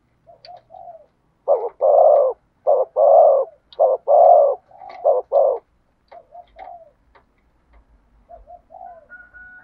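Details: Spotted dove in 'thúc gù' cooing with the 'thổ sấm' thunder voice. A run of five or six deep, hoarse coos of steady length comes in fast succession, framed by soft short murmured notes.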